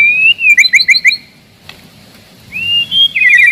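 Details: A white-rumped shama sings to provoke rivals and test young birds: a clear whistle, a burst of five quick doubled notes, a pause, then a rising whistle and a short trill.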